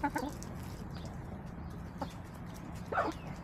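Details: Backyard hens filmed 18 March 2024 while feeding on leftover salad and sunbathing: a burst of quick low clucks at the start, a single cluck midway, then a louder rising cluck near the end over a constant low hum.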